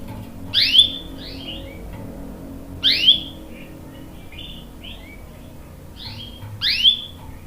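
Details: Canary, a young male answering while a female in breeding condition calls the male: sharp downslurred 'cuit' chirps with short trailing notes, repeated about every two seconds over a low steady hum.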